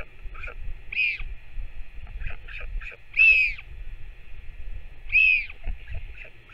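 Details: Northern royal albatross during a parent's feeding of its chick, 21 May 2024: three louder arched whistled squeals spaced about two seconds apart, with softer short peeps scattered between them and a faint low rumble beneath.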